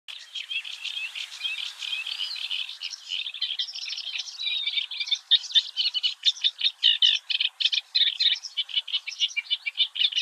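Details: A Eurasian reed warbler sings early in the morning at the Oostvaardersplassen, Netherlands, a steady, chattering stream of harsh, scratchy notes, repeated in short rhythmic phrases with no other sounds intruding.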